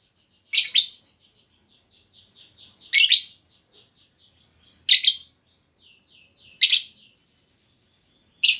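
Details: Female lovebird lure call, used by keepers to make another lovebird answer with long trills: single loud harsh screeches repeated every two seconds or so, with faint quick chittering notes between them.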